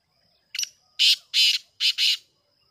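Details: Black francolin calling, recorded 5 July 2023: a short note followed by four harsh, buzzy, loud syllables in two pairs over about two seconds, with a steady faint high insect-like tone behind.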